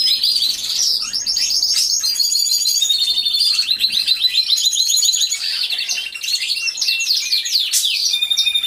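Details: Many canaries in an aviary singing at once, caught on a hidden camera. A continuous, dense chorus of high rolling trills and rapid repeated notes overlaps without pause.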